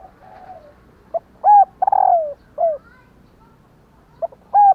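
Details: Female spotted dove calling so that males answer with their coo. A faint opening note leads to a clear arched coo and a long gliding, trill-edged coo. A bent downslur follows, then the sequence restarts.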